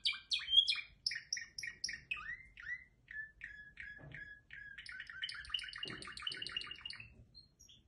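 A canary sings a fast, high, rolling song of repeated chirps and sweeping notes, ending in quick bright trills; a few faint thumps in the background.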